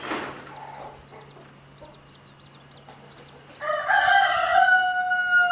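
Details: Rooster crowing in a yard where a mother hen with chicks is being harassed; soft high chick peeps and faint clucks first, then a loud, harmonic crow bursts in for the final two seconds.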